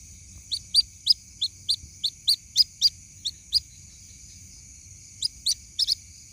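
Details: White-breasted waterhen chick calling to its mother: a series of short, shrill, high peeps about three per second, a pause of more than a second, then a few more peeps, with a thin background whine.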